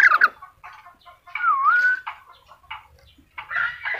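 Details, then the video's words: Black-capped lory giving a mix of harsh squawks, a clear whistled note that dips then rises, and scratchy chattering notes in irregular bursts. "Burung nuri kepala hitam"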